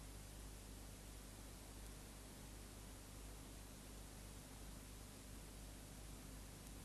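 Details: Even broadband static hiss over a low electrical hum, with nothing else heard.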